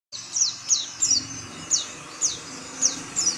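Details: Oriental white-eye, a small yellowish passerine of tropical Asian open woodland, giving high thin down-slurred notes repeated roughly every third to half second, with faint low background hum.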